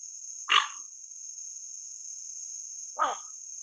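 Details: Two harsh, hoarse croaks about two and a half seconds apart from a dark-morph Pacific reef heron (Egretta sacra), over a steady high insect-like hiss.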